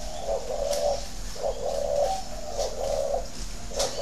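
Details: Spotted dove at a Vietnamese breeding farm near Ba Vì, Hanoi, delivering the thổ đấu còi coo: repeated low, warm notes in groups of two or three, with brief clicks and background hum.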